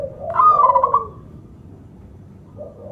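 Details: Local zebra dove giving a single short trilled coo, a powerful lure call meant to provoke other doves and get reluctant singers going, set against continuous low background hum.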